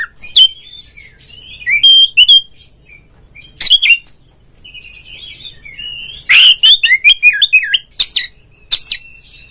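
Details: Oriental magpie-robin (kacer) in lively song meant to stir other magpie-robins to sing: bursts of high whistles and chirps separated by pauses, a buzzy note followed by a run of rippling downslurs near the end.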